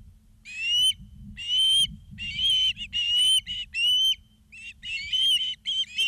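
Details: Osprey calling at the nest in Charlo, Montana, afternoon of 2 September 2023, live cam: loud whistled chirps about one per second, some doubled, each with a clear bright upward-bending tone.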